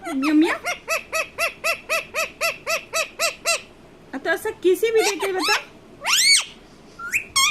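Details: Pet Indian ringneck parakeet giving a long evenly paced series of arched notes, about four per second, followed by garbled chattering sounds and a loud rising squawk.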